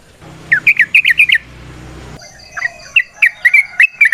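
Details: Yellow-vented bulbul singing in the wild, 'ropel panjang' style used to lure other bulbuls. A quick run of chirpy notes, a pause with low rumble, then a looser string of sharp notes.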